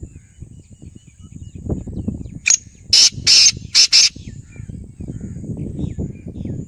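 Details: Black francolin, known locally as kala tetar, in Khairpur Mir's, Sindh, gives one loud rasping phrase mid-recording: a brief opening note, then four harsh buzzy notes paired closely, against low rumbling background noise before and after.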